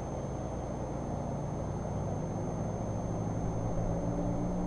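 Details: A steady low engine and vehicle hum fills the whole recording, with no animal calls.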